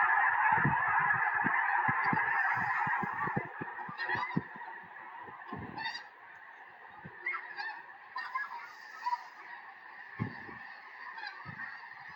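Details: Massive wild flock of snow geese settling into a Tennessee field in January 2026 ahead of a major snowstorm; loud massed honking at first, fading to a softer, steady chorus with scattered sharper calls and low thuds.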